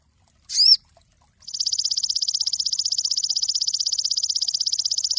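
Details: Cinereous tit used as a master bird for songbird training: one sharp arched chirp, then a long, steady, very fast high trill of evenly repeated notes.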